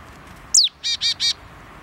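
Willow tit: a thin, high, falling note, then three harsh, nasal, buzzy 'taah' notes in quick, even succession.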